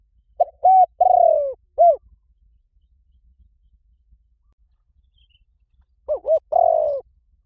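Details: Spotted dove call, used as a lure to rouse slow decoy doves: one four-note phrase of two short hoots, a long falling rolled coo and a final clipped note, then quiet before a second phrase begins near the end.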